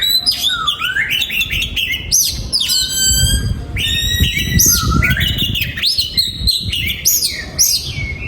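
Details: Oriental magpie-robin in a breeding aviary singing a rich, varied song of whistles, rapid chattering trills and harsh notes, with steady background noise throughout.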